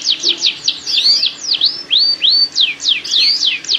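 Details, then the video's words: Canary mating song used as a lure to encourage pairing and breeding: a fast series of clear whistled sweeps, mostly falling, with a few rising slurred notes, repeated several times a second without pause. "Kicauan Kenari Kawin Untuk Pancingan Penjodohan Kenari"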